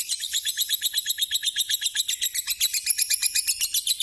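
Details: Nearly nine-year-old pet lovebird chirping as it does every day, sharp squeaky notes tumbling out about four per second in a continuous, insistent run.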